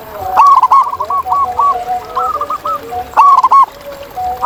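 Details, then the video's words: Several wild zebra doves in natural surroundings give stuttering, rolling coos, one voice higher and louder, others softer and lower, phrases running almost continuously through the clip. "Ini Dia Suara Asli Perkutut Liar di Alam!"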